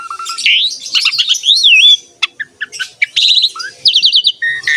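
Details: Training song of an Asian pied starling, used to prompt other songbirds to sing: looping slurred whistles, sharp clicks, then a run of five quick rising chirps and short buzzy notes.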